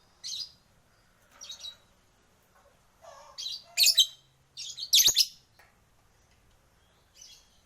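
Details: Pet lovebirds answering each other in ngekek chattering song, a green pastel bird especially persistent; short bursts of harsh, scratchy high chatter spaced about a second apart, two louder bursts near the middle.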